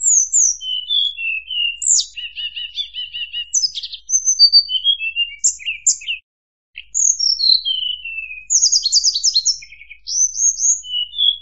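A rich, varied song of murai buluh: clear high whistles, downward-slurred notes and short buzzy rattles in quick succession, with a brief pause midway.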